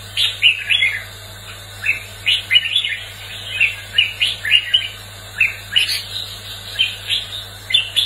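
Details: Red-whiskered bulbul, competitive singing: a steady sequence of bright, clipped whistles and short slurred phrases repeated roughly every half second, over a faint continuous low hum.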